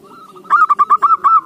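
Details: Zebra dove singing, a recording used as a lure to prompt other doves to answer: a faint low coo, then six clipped, mellow cooing notes in a rapid, fairly even series.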